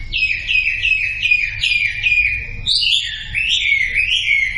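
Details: Sumatran leafbird, recorded as a prompt for silent birds to sing: a run of repeated downslurred whistles, then a higher, looping series of warbled phrases, all clear against a quiet background.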